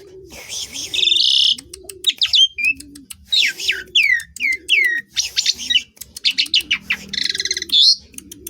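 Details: Asian pied starling song: a harsh buzzy note, then sharp descending whistles and clicks in quick succession, while regular low coos pulse under the singing.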